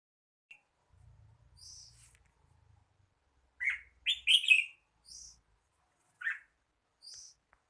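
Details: Red-whiskered bulbul singing: short bursts of bright chirpy notes, a loud cluster of rich warbled phrases in the middle, separated by brief high thin notes, with a faint low hum at the start.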